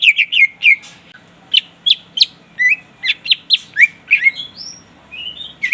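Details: Greater green leafbird in full song, used to lure and challenge a rival: a lively series of sharp downslurred chips and whistled notes, roughly two per second, with a few longer rising whistles near the end; low background hum.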